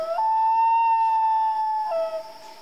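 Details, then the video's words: A night-time common loon gives a pure, sustained wailing tone held almost two seconds, sliding down briefly at the end before a second note begins. "Relaxing Loon Call At Night, Common Loon Call"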